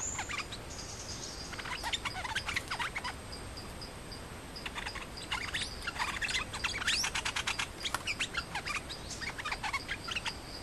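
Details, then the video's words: Nok dok taeng, a Thai songbird: a challenging male fights the resident male over territory. Quiet bursts of sharp chirps and clicks come in irregular clusters, busiest toward the end, over a hissy background. "เสียงนกดอกแตงEp.200 จ้าวแบงค์วัดใจจ้าวถิ่น คู่นี้ไม่แหลงกันเลยจะรบอย่างเดียว"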